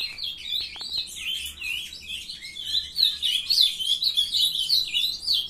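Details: Brood of young ultramarine grosbeaks raised in captivity, warbling a rapid, tumbling song of quick chirped notes, a few faint clicks early, building in strength toward the end.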